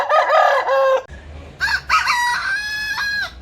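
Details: Two rooster crows in quick succession, the first lower and wavering, the second higher and held steadily before breaking off.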